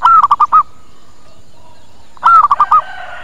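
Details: Two zebra dove coo phrases from a lure meant to draw birds in and get replies, each a swelling opening note trailed by four short rolled notes, about two seconds apart.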